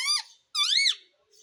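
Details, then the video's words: A pet Indian ringneck (rose-ringed) parakeet says "mummy" in two quick, high, squeaky syllables, the second longer and arching up then down, in a small quiet room. "Mummy Mummy bolne wala Tota _ Parrot Talking _ Sweet Ringneck Parrot Talking"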